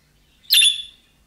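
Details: Single budgerigar calling chirp of the kind young birds make to draw a reply from other budgerigars: one loud, rasping squawk lasting about half a second in an otherwise quiet recording.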